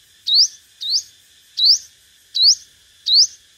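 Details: High upslurred sunbird notes from a five-coloured sunbird lure track of competitive singing, five rising sweeps repeated at steady intervals of under a second, clean and bright.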